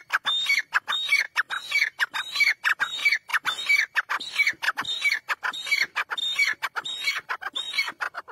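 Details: Black francolin calling: loud, harsh, grating phrases repeated about every half second, each a rasping burst with a squeaky tonal edge, in a tight steady rhythm throughout.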